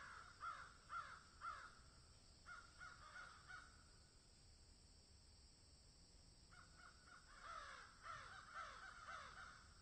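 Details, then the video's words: Crows calling in a field, giving harsh hoarse caws in quick runs of about three, a quiet gap of a few seconds, then a longer overlapping burst of caws from more than one bird, with steady outdoor hiss underneath. "Crows Caw in Field"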